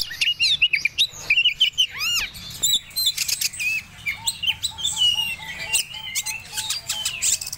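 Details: Oriental magpie-robin, Medan type, in breeding condition, sings varied high whistles, including clear downward-arching notes near the two-second mark, followed by a run of short, evenly spaced lower chips beneath scratchy chatter.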